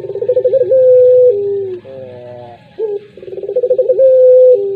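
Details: Puter pelung collared dove coo: a pulsing, throbbing run of notes, then a long level tone that slides down. A short pause follows before the pattern starts again.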